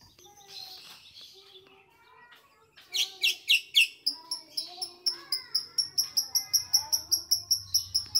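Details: White-rumped shama fluently imitating grey-cheeked bulbul song. Soft, mixed warbled notes and faint talk give way to loud, evenly spaced high chirps, about four per second, growing steady toward the end.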